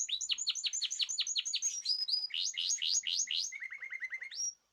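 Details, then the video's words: Group song of caged birds fed natural varied food, 14 March 2026: rapid series of sharp, high downward-sweeping chirps, about four per second, shifting into a quicker lower chatter and ending on a thin high whistle. "تغريد جماعي للطيور"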